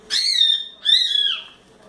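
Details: A young pet cockatiel, four months old, playing in its playground, gives two loud, drawn-out harsh calls that slide downward, each lasting about half a second.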